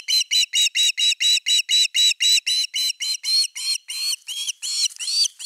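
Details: Osprey at a camera-monitored nest, 30 August 2021, with an evening fish; loud, rapid chain of about twenty piercing whistled notes, around four per second, the later ones longer and more slurred.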